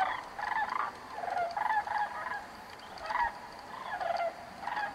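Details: At Bandelier National Monument, sandhill cranes travelling north for the summer call while circling in a thermal: distinct rolling, rattling bugles about once a second, separated by short quiet gaps.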